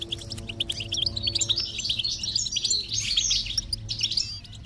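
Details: Goldfinch singing, used as stimulation for a silent bird: a continuous liquid twittering of quick, high chirps and trills without pause, with a faint sustained tone underneath.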